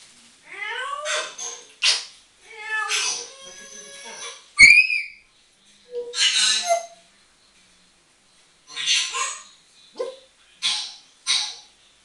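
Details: Pet African grey parrot whistling away, having fun: rising and falling whistled sweeps, a sharp clear whistle near the middle, then several short bursts of airy chatter separated by pauses.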